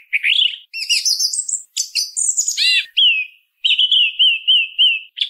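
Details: Song thrush in song, a bird common in urban and rural areas: squeaky rising and falling twitters, a high burst, then a clear downslurred phrase repeated about four times.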